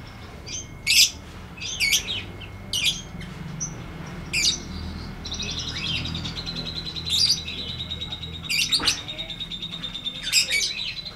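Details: Lovebird singing 'ngetik ngekek panjang', a long-trill style played to train lovebirds that have gone quiet: sharp, spaced chirps followed by a sustained high chattering trill lasting several seconds, then more abrupt chirps.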